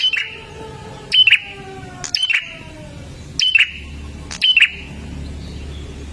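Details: Olive-backed tailorbird singing in gacor dor style, played to get caged birds singing: four sharp, explosive double notes spaced about a second apart against a low background hum.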